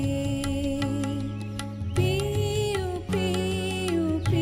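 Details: Devotional-style music with a sustained singing voice over drones and plucked strings, steady throughout with a shift in melody near the middle; no animal calls heard.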